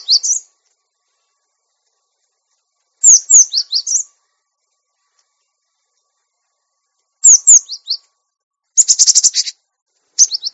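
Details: Cinereous tit song used as a master recording for training caged birds. Short, high, clear whistled phrases of two or three slurred notes are separated by silent gaps of several seconds. One phrase ends in a dry, rapid chattering buzz.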